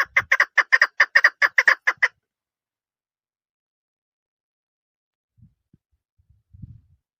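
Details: Female chukar partridge uttering a brisk burst of about a dozen evenly spaced, clucking chuk notes lasting two seconds, followed by near silence with faint low knocks.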